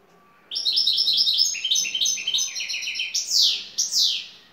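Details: Şakşaklı-style song of a champion European goldfinch from Turkey: fast chains of high, tinkling chirps repeated in quick series, then two louder, sweeping, harsh downslurred notes near the end.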